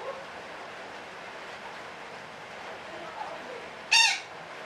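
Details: After several seconds of low hiss, a parakeet lets out one short, loud, rasping squawk, part of a call described as long chattering (ngekek panjang).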